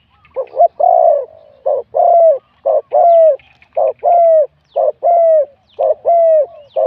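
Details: Spotted dove kept for a Thai cooing contest, a wild-caught bird with a middle-to-big voice, gives a full coo phrase: paired short notes then a long falling coo, repeated about every second in steady sequence.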